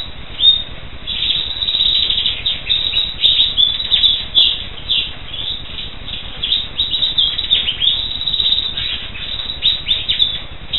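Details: Black siskin giving a fast, continuous twittering song of high, scratchy chirps and short trills, swelling in bursts about every second, over a faint low background hum.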